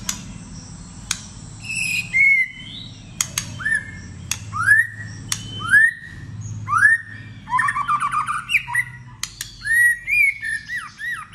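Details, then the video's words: White-rumped shama in competitive singing, a varied many-voiced song: clear rising whistles near mid pitch, sharp high clicks and fast chattering phrases in bursts separated by short pauses, with faint low hum beneath. "Kích chòe lửa hót /nhiều giọng / chòe lửa hót đấu"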